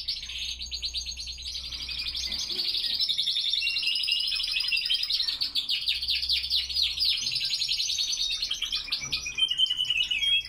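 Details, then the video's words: Spanish Timbrado canaries singing on a cold early morning, 5°C, 87% humidity, 07:46 am; unbroken high, bright trilling throughout, with faint low hum beneath. "Timbrados español clasico singing in the cold."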